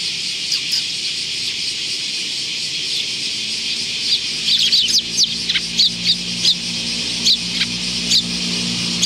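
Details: Sparrows chattering on 24 July 2019 with many high, quick chirps. The chirps grow dense in the second half and come in bursts over a steady low hum.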